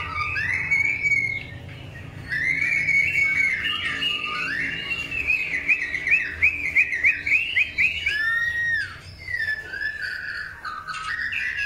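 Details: During pairing for breeding, a long-tailed white-rumped shama delivers a long varied song of fluty gliding whistles, rapid trills and buzzy flourishes, pausing briefly after the opening phrase and near the end.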